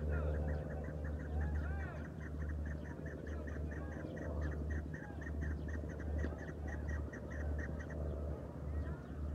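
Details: Farmed chukar partridge calling with fast, continuous clucking chatter that runs for about eight seconds with little pause. A constant low hum sits underneath.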